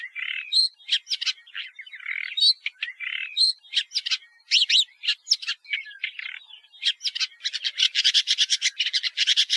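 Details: Woodchat shrike song: a varied, scratchy run of chattering notes and short whistles mixed with harsh buzzes, ending in a fast, dense stretch of rattling chatter; no other sounds.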